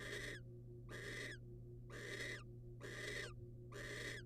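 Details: Harsh rasping hisses from a wild barn owl while the male brings prey to the female. Five broadband bursts come almost a second apart, each ending with a slight downward sweep, with a low droning hum behind.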